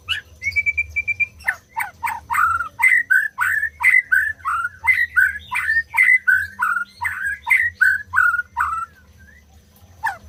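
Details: White-rumped shama song opening with a short run of steady high whistles, then a long series of loud clicking, down-slurred whistled notes, roughly three per second, ending in a brief pause and one more note.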